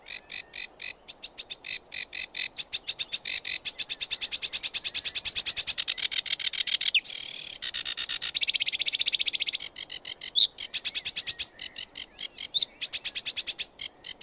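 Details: Sedge warbler singing a long, fast chattering song of rapid, harsh repeated notes, with whistled and buzzy phrases woven through the middle, delivered almost without pause.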